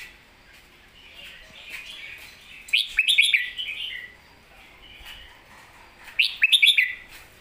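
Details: Red-whiskered bulbul singing master-song phrases: two loud bursts of rich, tumbling whistled notes about three seconds apart, each rising then falling, over a soft warbling murmur.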